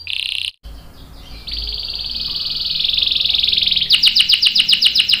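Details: Canary song, a long roll used to spur other canaries to sing: a brief buzzy note, a short pause, then a long steady high trill rising slightly before breaking into rapid repeated chips.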